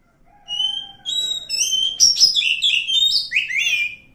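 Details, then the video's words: Wild forest oriental magpie-robin opening with long pure whistles that build into a lively stream of rapid, varied, rising and falling notes. "suara asli kacer hutan"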